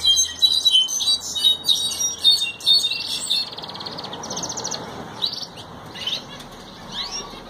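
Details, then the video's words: Singing Ocellated thrasher: quick, varied phrases of chirps, trills and short whistles for about three seconds, then the song fades into softer scattered notes over faint background noise. "Huitlacoche barranqueño cantando"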